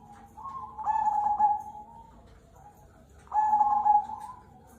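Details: Zebra dove of the Cemani Kolbuntet type in full song, a local bird. Two loud phrases give rapid clipped notes that roll into a drawn-out hollow coo. Softer cooing fills the gaps.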